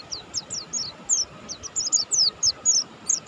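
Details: Mountain white-eye, buxtoni form, in vigorous song: sharp high notes falling in pitch, given singly and in quick pairs, with short gaps between bursts, over a faint continuous hum.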